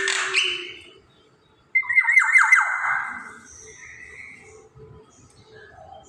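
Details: Black-naped oriole singing actively, kept as a lure for other birds; a descending whistle opens, then harsh, rasping, rapidly stuttered notes fade into soft scattered chatter.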